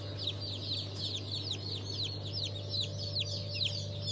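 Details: Young chicks from a new hatch of mixed breeds on 27 March 2023. Rapid, overlapping high peeps sweep downward, about two per second from the loudest birds, above a steady low hum.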